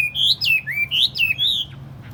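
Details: Tame Chinese hwamei, kept caged and placed on a table. It sings loud, rich whistled phrases that swoop up and down in quick succession, five or six rolling notes, before stopping.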